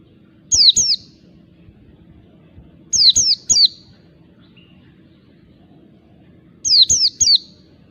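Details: Wild oriental white-eye, a forest bird used to lure others; sharp, very high, downward-sweeping chirps in quick clusters of two or three, bursts spaced a few seconds apart, over a faint low steady hum.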